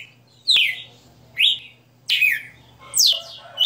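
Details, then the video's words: Kept red-cowled cardinal in 60-note song style, loud clear whistled phrases that slide downward, four notes spaced roughly a second apart over a faint low hum. "Galo de Campina 60 NOTAS Cantando"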